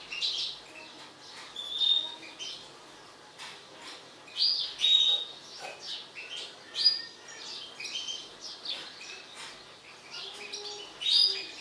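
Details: Agitated mutant European goldfinch delivers scattered bursts of thin twitters and clear whistled tones, broken by short quiet gaps across about twelve seconds.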